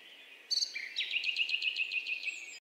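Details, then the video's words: Pheasant-tailed jacana calling: a few higher opening notes, then a rapid run of about eight nasal, evenly repeated notes falling slightly in pitch, over a steady background hiss. "pheasant tailed jacana"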